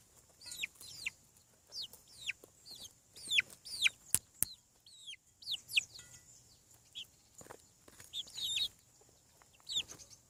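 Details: On a farm, chicks fresh from the egg produce a busy series of high, steeply falling peeps, several birds overlapping, with sharp clicks between calls.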